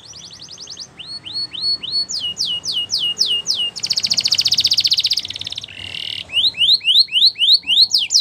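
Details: Belgian canary training song for young canaries, a varied high song: short trilled runs, rising upswept notes, a dense rattling buzz in the middle, then more rapid rising whistles.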